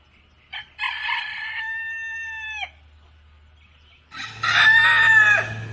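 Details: Rooster crowing loudly: a harsh, stuttering start, then a long held harmonic note that breaks off sharply. A second loud, rougher crow begins after a short pause, over a low steady hum.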